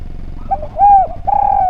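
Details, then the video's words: Lively, melodious spotted dove used as a tutor for other birds: a soft stammered lead-in, then a loud smooth coo that falls away, followed at once by a long sustained coo. "Derkuku Gacor Suara Nglaras, Masteran Derkuku Paling Top Cer"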